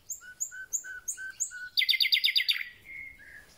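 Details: Thrush nightingale song at the start of spring: five clear, evenly spaced whistled notes, then a loud fast rattle of clicks, ending in a soft drawn-out note.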